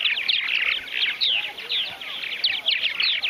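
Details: A large backyard Purple Martin colony at the Stoll Family Farm in Finger, Tennessee, during Martinfest 2013, chattering in a dense chorus of overlapping gurgling, liquid chirps and rising warbles, with several birds calling at once.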